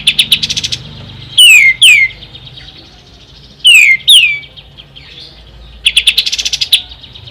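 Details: Ashy tailorbird giving short chip trills between two pairs of loud, sharply downslurred whistles, ending on another quick run of high notes.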